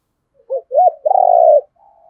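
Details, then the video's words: Spotted dove, male and female birds kept for luring and provoking wild rivals to fight: a short two-note low coo followed by a longer, steady, throbbing hoot, then a faint soft tail note. "cu gáy thúc đấu rút bổi nhanh về cội đấu với bổi"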